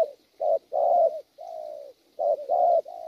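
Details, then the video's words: Wild-caught spotted dove delivering a gù cooing style: low, hoarse, throaty coos in short and drawn-out notes, about six phrases in quick succession against a quiet background. "Bổi tốt tiếng,nước gù quá hay(chim có bài)"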